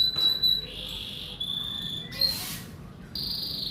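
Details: Male canary ready for breeding sings thin, long whistled notes that step between pitches, then breaks into short buzzy, rattling trills, with a faint low background hum.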